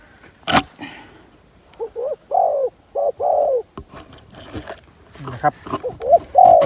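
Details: Spotted dove used as a decoy to lure wild doves, giving a few short, low, hollow coos, then a longer coo near the end. Sharp clicks and handling noises fall between the phrases.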